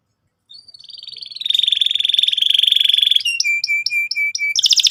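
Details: Energetic canary singing as a lure to make young birds trill: a long sustained whistled tone that turns into a fast pulsed trill, then a string of short clipped chirps and a sudden sweeping flourish.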